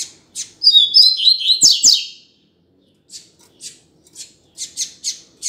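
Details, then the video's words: Double-collared seedeater calling, used as a teaching recording for a male: a few high chips, then a rich tumbling warble of whistled notes, a pause, and a string of quick sharp chips. "COLEIRO CHAMANDO TOP PRA ESQUENTAR SEU COLEIRO OU PAPACAPIM!!! - Coleiro Professor Aprendizado"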